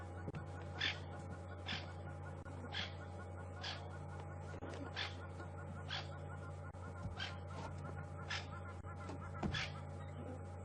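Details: On an April 2015 sunset safari drive, francolins in long grass give harsh, scratchy alarm bursts about once a second over a steady low engine hum; squirrels are not alarming, so the cause is probably a snake or slender mongoose, possibly not a leopard.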